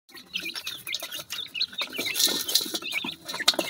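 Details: Pheasant chicks eating feed: high, thin peeping calls that rise and fall, overlapping from several chicks, with soft pecking and scratching at the feed throughout.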